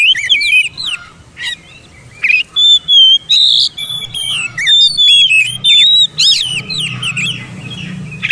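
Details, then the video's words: Therapy song of an oriental magpie-robin for birds that stay silent: repeated loud whistled phrases, steady high notes mixed with bouncing slurs and a few harsh chirps, short gaps between phrases, low hum beneath. "TERAPI MASTERAN BURUNG KACER BISU MALAS BUNYI"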